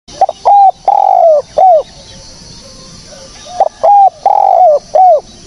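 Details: Spotted dove, offered as a lure for bird trapping, giving clean repeated coos: a short note then drawn-out level coos falling at the end, in a phrase heard twice about three seconds apart, with faint high chirps behind.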